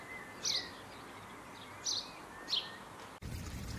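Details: Morning birdsong. Three short, high, squeaky chirps come at uneven intervals over background hiss, and the sound cuts to louder noise near the end.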